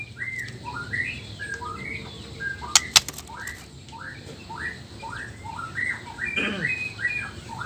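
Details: Male black-tailed white-rumped shama from Nias, whose song is meant to make other males sing. Steady series of short, rising whistled notes with a few sharp clicks in the middle and background hiss.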